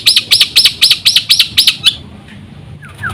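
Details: Black-winged myna song played to lure other mynas into singing: a quick run of seven loud, arched, whistled notes repeated about four times a second, then a short faint pause with two soft, falling chirps near the end.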